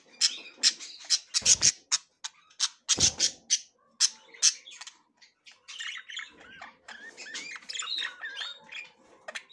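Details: Female budgerigar inspecting the nest and trying to enter it for the first time; sharp rapid clicks and squawks in a dense cluster, then softer warbling chatter with rising and falling notes, with a few low thumps.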